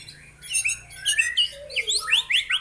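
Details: White-rumped shama, real bird, singing a jumbled phrase of quick rising chirps and short slurred whistles in an intense 'tembakan' style.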